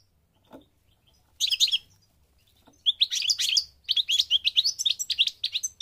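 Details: Moroccan European goldfinch, parva form, with a faint click, then a buzzy twittering burst, followed by a longer, rapid run of bright tinkling notes and slurred chirps, high and continuous.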